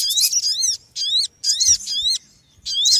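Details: Small noisy bird uttering three quick bursts of high, bright chirps with descending slurred notes, separated by brief silences.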